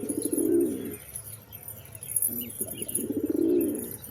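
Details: Pigeons cooing: two loud, low, purring coo phrases roughly three seconds apart, each about a second long, with a few short murmurs between and light chirps above.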